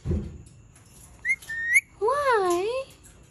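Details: Angry Indian ringneck parakeet producing short high whistles, then a long undulating, vibrato-like harmonic call rising and falling over nearly a second.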